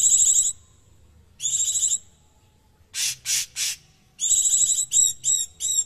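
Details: Cucak cungkok, a master tutor bird valued for its rough, tightly packed voice, delivering harsh high buzzy phrases about half a second long separated by pauses, then a run of rapid downward-slurred notes.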